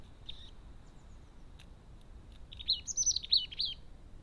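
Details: Crested tit at a busy garden feeder: a brief high note, then a rapid burst of thin, high-pitched trilling chirps near the end, fairly loud against a quiet background.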